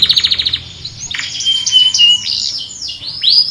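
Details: Canary described as a master singer, calling friends and fighting; opens with a rapid buzzy trill of evenly spaced high notes, followed by sustained high warbling phrases and a final sharp rising-falling whistled sweep.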